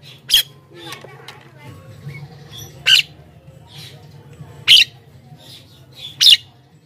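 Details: Javan myna producing harsh, explosive squawks used to attract wild mynas, about four loud bursts spaced one to two seconds apart with faint chatter between them, over a steady background hum.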